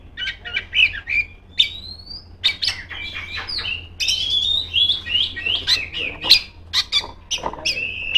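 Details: Oriental magpie-robin, female, in loud song aimed at rivals; short chattering notes and clicks, then a long, varied run of clear whistles and twittering.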